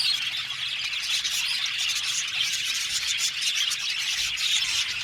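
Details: Budgerigars, about seventy pairs housed in an aviary, fill the air with constant high-pitched chirping and warbling from many birds, a thick overlapping chatter with small surges in loudness.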